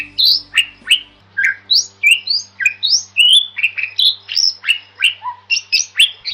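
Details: Bali myna, locally jalak Bali, singing masteran song: a lively sequence of sharp whistled slurs, many rising, alternating with harsher squawky notes, steady and loud throughout.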